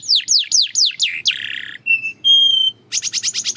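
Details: Belgian canary song with a few swooping down-slurred notes, a rasping buzzy stretch, then pure steady whistled tones and a closing quick rattle of high chips.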